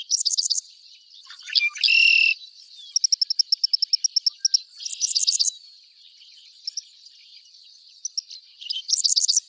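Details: A male Red-winged Blackbird, a classic wetland sound in New Brunswick, gives its conk-la-ree territorial song: sharp, high clipped notes, a buzzy harsh trill and a fast run of ticking notes, repeated in bursts over several seconds.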